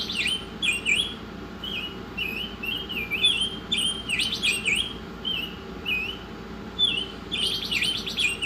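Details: Masteran recording of an Oriental magpie-robin: a near-continuous string of bright swooping whistles, roughly seventeen phrases a minute, ending in a dense rattling burst, with high-pitched chips and low background hum throughout.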